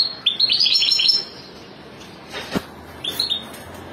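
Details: A family of European goldfinches: a rapid run of liquid, rising twittered notes, then a pause, a click and a short closing chirp pair.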